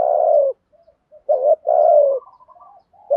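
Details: Spotted dove kept as a decoy, calling to draw other doves in; a long falling coo, then a brief rising note and another drawn-out descending coo, faint low murmurs in the gaps.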